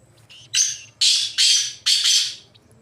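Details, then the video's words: Free-roaming wild black francolin gives a short grating call: a faint lead-in note, then three loud rasping notes about half a second apart, each harsh and wide-ranging. "Kala Teetar Ki Awaz Black Francolin Voiceجنگل میں ازاد گھومتے ہوئے کالے تتر کی خوبصورت آواز"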